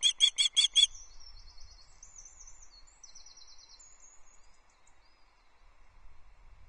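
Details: Nest-camera recording of a female osprey asking for fish at Loch Arkaig, 14 July 2024, early morning, mate on the nest: five quick, loud whistled chips open, followed by thin, high twittering from another small bird and near silence.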